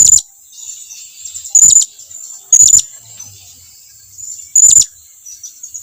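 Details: Calls of a blue-crowned hanging parrot summoning its flockmates closer: four short, shrill, very high-pitched notes at uneven intervals, with faint thin whistling between them.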